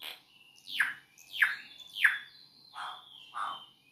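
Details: Campo troupial singing on a person's finger: a series of loud notes, each sliding steeply downward, repeated roughly every half second, followed by lower, softer rounded notes.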